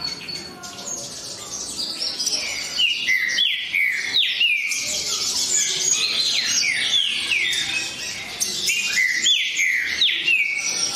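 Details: Green-winged saltator song, a dense stream of fast whistled notes that slide down in pitch, delivered in quick succession against a busy background of other faint chirps.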